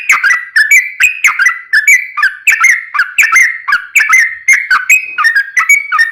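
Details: Yellow-vented bulbul in a long, rapid 'ropel' song used as a lure to prompt other bulbuls to sing: bubbly, liquid gurgled phrases around mid pitch, repeated about once per second in a steady run, with no other sounds.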